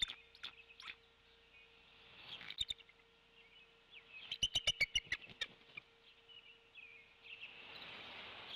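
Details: Wild bald eagle mother at the Decorah nest around 10 am, calling for her mate while feeding the chicks. A quick burst of sharp, piping chattering notes stands out over a steady low hum and hissing background noise.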